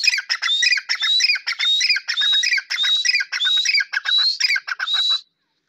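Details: Black francolin call: rhythmic groups of shrill, rasping notes topped by thin rising squeals, about eight phrases in five seconds, sharp and dry with no background noise.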